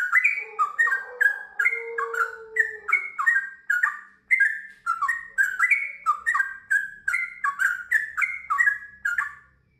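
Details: Bubbly, chattering whistles from a sooty-headed bulbul pour out nonstop for ten seconds in a long rapid string of slurred phrases, with a faint lower sound underneath at the start.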